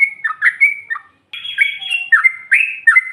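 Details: Female yellow-vented bulbul singing to provoke rival birds: bright liquid whistled phrases with short dipping slurs, a brief pause near one second, then a longer run of fluty notes.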